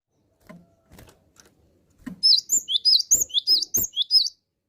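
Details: Cinereous tit (gelatik batu) singing constantly: after faint taps and knocks, a fast run of about eight high, sweeping two-part whistled notes repeats for roughly two seconds.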